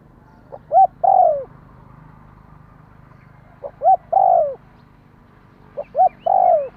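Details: Spotted dove call played to rouse a decoy bird: three phrases of two quick soft notes then a longer drawn-out coo that falls in pitch, spaced a few seconds apart over a faint low hum.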